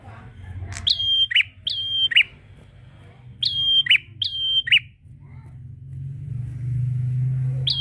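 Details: Calling prinia (prenjak) answering a rival: two pairs of whistle-and-chirp phrases, each a high steady tone dropping to a rough note, then quiet with rising low rumble and one final note.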